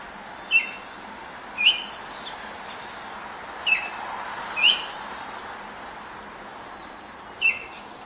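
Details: Sunrise song of a Baltimore oriole, 10 May 2024 at 5:40 a.m., perched in a neighbour's apple tree and pecking between hops; five brief upward-flicking whistled notes spaced irregularly across eight seconds.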